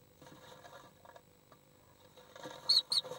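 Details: Common swifts (Apus apus) fighting an intruder inside an occupied nest box on 1 July 2012: two quick, high, squeaky notes a quarter-second apart near the end, over soft scratching and scuffling from the struggle.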